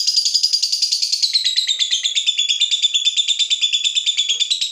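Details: Fighter lovebird's long 'ngekek' after being provoked: a continuous, rapid, shrill pulsing chatter throughout, its pitch dropping slightly over the first seconds, then steady.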